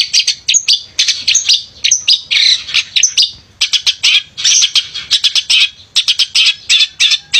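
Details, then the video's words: Male long-tailed shrike singing energetically to provoke reluctant shrikes: grating chatter in short bursts mixed with thin squeaky whistles, broken by brief pauses. "Pented Gacor Cocok Buat Pancingan Pented Yang Malas Bunyi"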